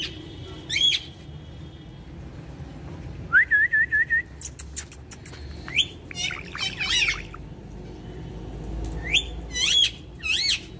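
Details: An Indian ringneck parakeet kept as a pet, vocalizing alongside its owner, gives harsh chirps and squawks, a run of four quick wavering whistled notes, then further clustered squawks over a soft low hum.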